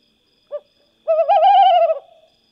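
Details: Tawny owl, a species found across most of Europe: a brief low note, then a drawn-out wavering, quavering hoot lasting about a second, rich in overtones, over a quiet background.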